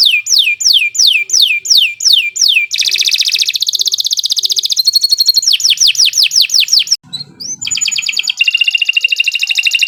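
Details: Canary performing a long master song for other birds to copy; repeated downward-slurred whistles give way to buzzy trills, rapid rolling notes, a short pause, then steady high trilling.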